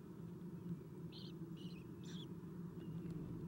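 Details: Owlets being fed by an adult owl at a nest, filmed by nest camera at 7:04 am on 11 April 2016; three short, high raspy squeals about half a second apart over a steady low hum.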